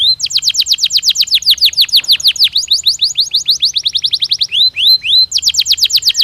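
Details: Canary song played to stimulate birds and aid the breeding season: rapid series of bright, steeply falling whistled notes, then a fast rattling trill, a brief pause and more quick downslurred notes.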